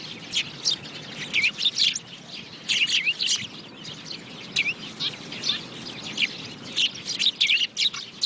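House sparrows chirp continuously, bright repeated cheeps and short upswept notes overlapping from several birds, with a soft background hiss.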